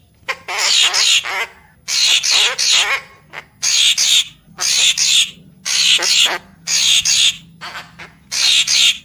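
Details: Loud lure call of a Papuan magpie-robin: a steady series of rasping, broadband double and triple bursts, each under a second, spaced about a second apart over a quiet low background hum.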